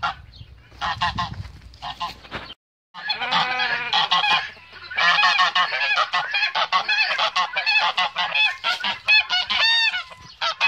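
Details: Male goose defending its female: after a short pause, a dense, continuous stream of harsh, nasal honks and cackles, overlapping tightly, ending with a few higher, thinner whistled notes.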